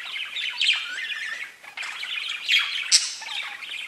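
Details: Pet budgerigars chatter in a rapid, scratchy stream of chirps, with a few sharp high squeaks standing out over the warbling.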